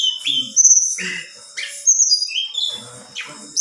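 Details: Vocal female black-winged flycatcher-shrike calling to provoke male birds: high piercing whistles, short downslurred and rising chirps, and faint low chatter between notes.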